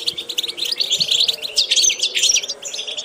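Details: Training song of a European goldfinch: dense, fast tinkling twitter of short chirps and buzzy notes, with thin whistled streaks and a dipping note near the end, over a faint low drone.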